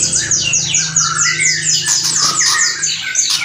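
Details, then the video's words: White-rumped shama kretekan and whistling: a fast series of high downslurred notes repeated several times per second over a lower whistled line, with a faint steady hum beneath. "DONGKRAK EMOSI MURAI BATU... KRETEKAN & SIULAN"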